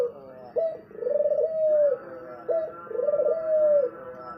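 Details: Spotted dove cooing: a short clipped note followed by a long, rolling, throaty coo, the phrase repeated about every two seconds at low pitch, with faint background hiss.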